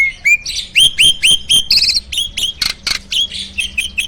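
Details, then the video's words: Farm-kept jalak starling in energetic full isian song, a steady run of upward-flicked whistled notes about four per second, broken by harsh buzzy bursts. "Burung jalak gacor full isian!"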